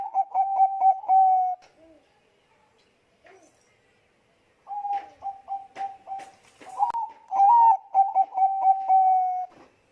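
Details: Zebra dove of the Bangkok type giving a lure song: quick clusters of soft coos, a silent gap, then a busier run of rhythmic short notes and a rising warbled coo, with a few clicks.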